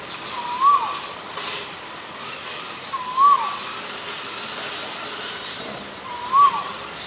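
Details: Male Asian koel giving three rising whistled notes a few seconds apart, fairly soft against a steady background hiss.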